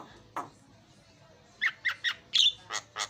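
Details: Javan myna singing, played as a lure to start a silent myna: after a quiet gap, a run of short, harsh, grating notes repeated about every quarter second.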